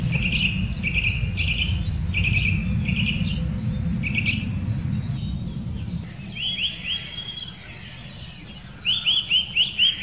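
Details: Eurasian nuthatch in the Wittlicher Senke giving a series of short, clear, slightly rising notes repeated roughly twice a second, then a fast run of upward-sweeping notes near the end, over a steady low rumble.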